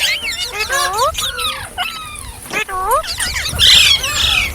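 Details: Ringneck parrot talking: curved whistled syllables rising and falling, a crisp squawk at mid-point, then a burst of hissy, high chatter.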